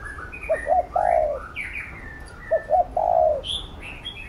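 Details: Spotted dove cooing as a trainer for a decoy bird: two quick soft notes and a longer low coo, given twice, while small birds twitter higher up.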